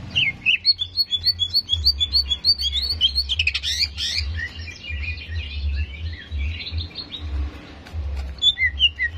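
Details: Greater green leafbird song used as a bird-contest training recording to provoke aggression: quick high whistled and chirped notes, some rising and falling, in a busy varied stream, with a steady low hum underneath.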